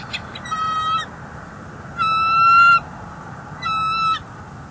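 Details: Bald eagle vocalizing at a North East Florida nest, January 30 2024, while an intruder eagle sits close by: three drawn-out, flat, harmonic calls, the middle one longest, separated by pauses of about a second.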